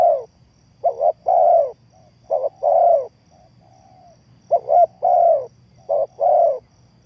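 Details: Spotted dove decoy call for trapping: a run of low coo phrases, each a paired short note and a longer coo, with a faint softer coo between phrases and a quiet background.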